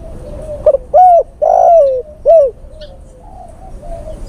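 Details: Male spotted dove calling to a female, used as a lure call to attract birds: a short hooting note, then two long, loud, mellow coos and a final slurred coo, each bending down at the end, over soft background hiss.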